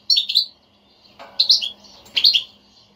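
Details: Bitbita chatter of a European goldfinch kept as a pet, used to trigger singing in a silent bird: three quick bursts of bright, jumbled high twitters within a few seconds, faint low hum underneath.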